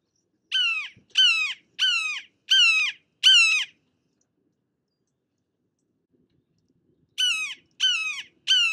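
A Red-shouldered Hawk gives loud, harsh kee-aah calls, each slurring downward, five in quick succession about every 0.7 seconds, then three more after a pause.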